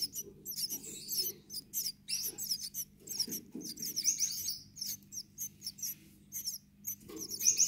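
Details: Gouldian finch chicks calling: a busy stream of high, thin, squeaky chirps in irregular bursts, several overlapping, with a steady low hum beneath.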